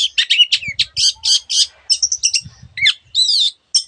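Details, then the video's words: Long-tailed shrike, a lively singer whose song carries many imitated phrases of other birds, giving a fast run of harsh squawky notes mixed with short whistles and chirps, high-pitched and densely packed, with brief pauses. "cendet gacor masteran untuk burung yang susah bunyi banyak varian suara burung lainya"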